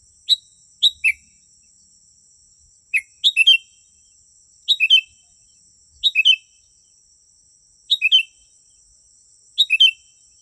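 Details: Sooty-headed bulbul song used as a lure to draw wild bulbuls near: short bubbly phrases of three or four liquid, slurred whistled notes, repeated every one to two seconds, over a steady high-pitched whine.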